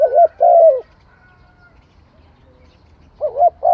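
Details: Spotted dove singing: two low, mellow cooing phrases, the first rising and wavering, the second a longer held coo, then a pause of over two seconds before the pattern starts again. The background is otherwise quiet.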